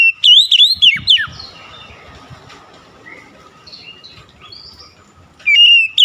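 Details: Kacer (oriental magpie-robin) singing eagerly. A rich phrase of looping whistles and falling slurs is followed by a quiet pause with faint distant chirps, and then another loud whistled phrase begins.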